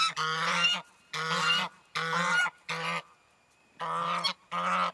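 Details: Four newly rescued geese honk excitedly on arrival at a sanctuary in February 2012 while checking out a large pond and pasture: six harsh, nasal blasts of about half a second each, spaced by brief pauses, with no other sounds.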